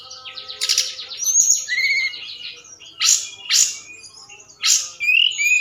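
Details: Night forktail lure call to excite other birds into singing. A buzzy rattling phrase and slurred whistles are followed by several loud, harsh, noisy bursts and a closing high twitter.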